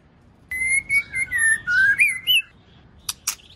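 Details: A female white-rumped shama, played to stir males into singing, gives a two-second run of clear, sliding whistles that wander up and down, followed by two sharp clicks.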